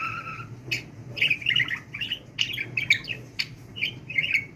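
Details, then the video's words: Pet budgerigar being taught to talk: after a brief steady tone, a flowing run of warbled, babble-like syllables and clicks, over a low indoor hum. "NEFES ALMADAN KONUŞAN MUHABBET KUŞU"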